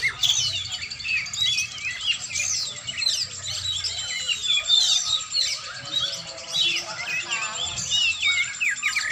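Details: Oriental magpie-robin in a training session, delivering a long, varied song: a dense medley of high whistles, twittering notes and quick trills flowing for nine seconds with barely a break, plus a thin high constant tone.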